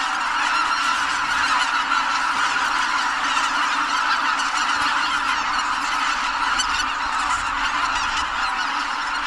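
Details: Just before sunrise on 1 January 2022 at Kabukuri-numa marsh, a startled flock of Greater white-fronted geese takes flight all at once. Massed honks blend into a steady roar, with sharper individual yelps standing out in the second half.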